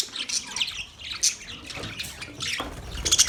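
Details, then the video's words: Australian budgie parakeets with scattered chirps and warbled notes, quieter and more spaced out, a few sharp squeaks near the end. "Budgies Parakeet Birds Chirping sounds Big sound of Australian Budgies parrot"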